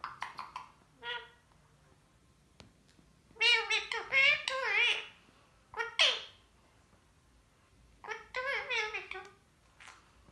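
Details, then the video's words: Indian ringneck parakeet kept as a pet talking indoors: bursts of harmonic, voice-like phrases mimicking words, grouped in several clusters with short pauses, plus a single sharp click. "Talking so many words | Best talkative parrot"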